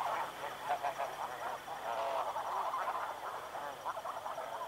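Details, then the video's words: Many snow geese from a group flying past at Chincoteague, Virginia, calling together in a dense, continuous babble of overlapping nasal honks, with no clear gaps between birds. "Snow Goose. MCU Calls From A Group Flying Past."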